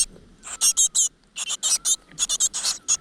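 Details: Great tit nestlings in a nest inside a rock crevice, begging as their mother brings insects: high, harsh, raspy squeaks in three dense bursts, each made of several quick notes, over a quiet background.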